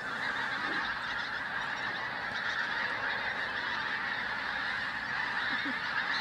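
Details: Large flock of Pink-footed Geese in flight over Flitcham on 5 January 2017: a dense, unbroken chorus of high, overlapping honking yelps from many birds at once, steady throughout.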